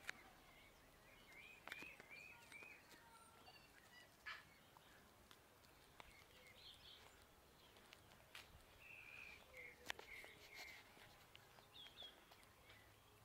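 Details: Several tui congregating and feeding on nectar in a suburban kowhai tree in summer: a varied run of sharp clicks, knocks and bright chirped and warbled notes, scattered irregularly across the recording.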